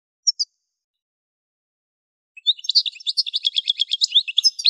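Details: Song of an Algerian goldfinch, Souk Ahras region (Kef El Hamam), Algeria: two isolated high tinkling notes, a pause of two seconds, then a dense burst of liquid twitters and chirps continuing to the end.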